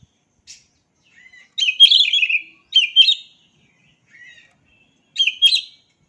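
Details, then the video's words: Oriental magpie-robin song, a master track meant to set silent birds singing: short, bright warbled phrases with quick chips, delivered in three brief bursts after soft thin notes, quiet gaps in between. "Dengar Suara Asli Kacer Ini"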